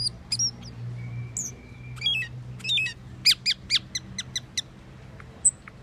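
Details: Asian glossy starling giving a lively mix of sharp squeaks, thin high whistles and quick chirps, one long flat whistled note early, then a rapid burst of clipped high notes, with a low steady hum beneath.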